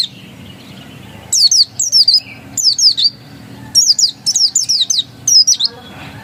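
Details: Ngotot-style singing from an oriental white-eye (pleci dakun): crisp, very high slurred notes falling in pitch, delivered in two- and three-note clusters with gaps between them.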